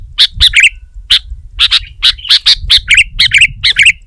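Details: Sooty-headed bulbul pressing a rival, setting other bulbuls singing: loud chirps alternating with quick warbled double notes in an uneven rhythm, steady low hum beneath.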